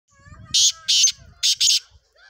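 A black francolin gives four loud, harsh, grating notes in two quick pairs over about a second, with faint low voices murmuring in the background.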